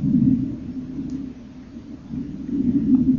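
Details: Young common kingfishers in the nest burrow, fed by their parents on 30 April 2014 as pin-feather sheaths start to fall: a low, hoarse continuous buzzing churr, loud, dipping briefly, then loud again.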